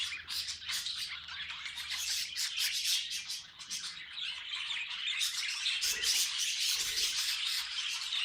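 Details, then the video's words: Pet budgies producing fast, uneven chattering, roughly 220 squeaky clicks and chirps a minute, over a constant shrill warble, with two soft low thuds near the end. "Funny Budgie Noises Compilation"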